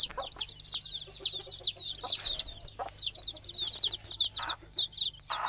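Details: Young chicks chirp while settling to sleep near their mother hen on a nest perch at night; a dense series of shrill, downward-sweeping peeps, with a few faint lower sounds.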